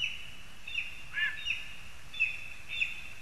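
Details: Lesser spotted eagles in a spruce in Zemgale, Latvia, recorded 22 August 2021; a few thin, high yelping notes with a steady whine between them over a background hiss.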